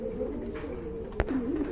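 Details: Pigeons at a large pigeon farm; a low, soft, droning coo runs steadily through the clip with a single sharp click near the middle.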